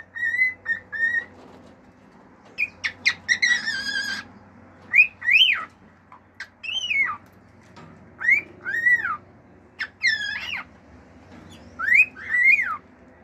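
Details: Male cockatiel kept as a pet singing natural calls, wolf-whistle and clicks: short flat whistles, a burst of harsh harmonic notes, then repeated rising-falling arched whistles in pairs, with low hum behind.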